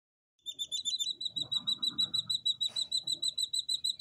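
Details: Two-day-old captive Jungle Bush Quail chicks, three hatched together, in the UK; high thin peeps repeated steadily about three times a second, with a low rumbling background and one brief broadband click.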